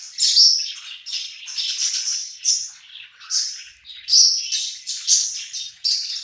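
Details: Several budgerigars gathered while eating, chattering in overlapping scratchy warbles and high chirps with regular louder bursts about once a second.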